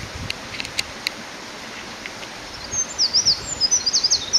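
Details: Eurasian wren singing loudly along a forest road beside a stream: a fast, very high run of sharp notes and trills, with a steady rushing hiss like running water behind it.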